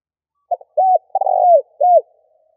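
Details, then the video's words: A single spotted dove phrase used to lure wild birds: two quick clipped notes, an arched coo, a longer rolling coo that drops in pitch, then a closing rounded coo. Low and clear, with no other sound. "Cu gáy gọi hay kích bổi nhanh nổi"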